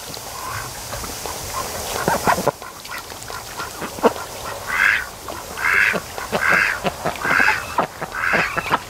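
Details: Laid-back ducks at a lake in the afternoon sun, calling in a series of nasal quacks, about one each second in the second half, with clicks and low background noise.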